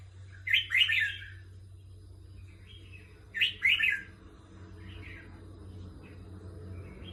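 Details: Red-whiskered bulbul, a competition songbird, singing short, bubbly warbled phrases of a few liquid notes. It repeats them roughly every three seconds, with softer answering notes between and a steady low hum underneath.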